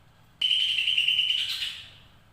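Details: Greater green leafbird ngekek chatter. A sudden, high, steady rattling trill lasts about a second and a half. It rises slightly and roughens at the end before trailing off.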